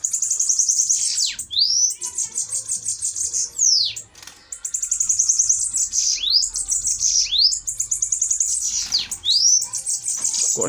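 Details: Fiery bananaquits in a fighting duel: thin, very high hissing trills run for about two seconds each, broken by sharp sweeping notes that dip and rise again, repeated in three bursts.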